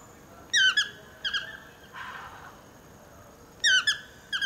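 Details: Talkative toucan calling from trees below a house: sharp squeaky yelps with rich harmonics, falling in pitch, given in paired bursts, two near the start and two more after a pause, with a brief rustling noise in between.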